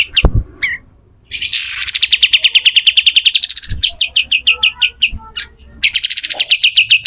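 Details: Pied triller's coarse besetan kasar song for tutoring other songbirds: a click, then a rasping burst leading into a long, even chatter of bright notes, a brief break, and another rapid burst of repeated notes.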